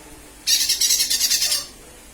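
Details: Lesser green leafbird calling as a lure: a harsh, buzzy rasping chatter of fast pulses lasting about one second, high-pitched and grating.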